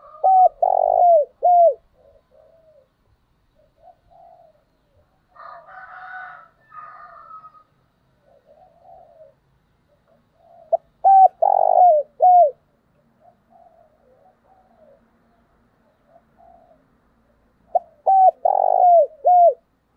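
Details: A wild dove used as a decoy call gives deep, rounded cooing phrases, repeated every several seconds.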